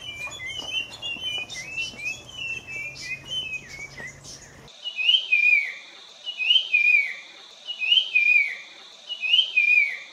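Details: Puff-throated babbler (Pellorneum ruficeps), song.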